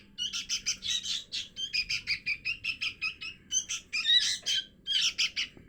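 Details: Young sooty-headed bulbul begging sounds played to lure birds down: fast series of scratchy, high chirps in evenly spaced pulses, several per second, growing slightly louder toward the end.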